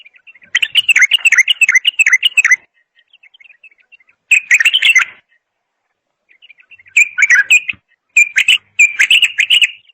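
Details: Bulbul song in bursts of fast, liquid warbling phrases separated by short pauses, with soft faint chirps filling the gaps.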